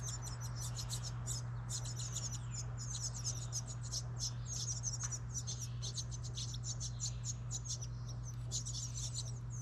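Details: Young house wrens in a birdhouse made from a recycled license plate in New England, calling while being fed. Dense, high-pitched squeaking chips run in uneven bursts throughout, over a constant low hum.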